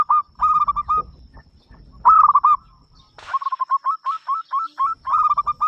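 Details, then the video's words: Loud-voiced local zebra dove, singing to invite other doves to join in: several clipped bursts of fast cooing notes, with a run of evenly spaced notes in the last two seconds and faint low rumbling noise. "perkutut lokal gacor suara besar"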